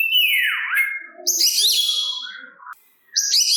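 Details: Oriental magpie-robin song meant to provoke rival kacer: a long descending whistle sliding down and up, then a buzzy high phrase, soft lower notes, a short silence and a final high burst.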